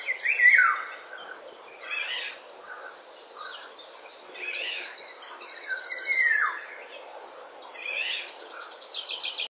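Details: Eurasian golden oriole in song at 8:15 in the morning, 19 May 2013: two clear, mellow whistled phrases sliding downward, about six seconds apart, amid high rattling trills and chirps from many other birds.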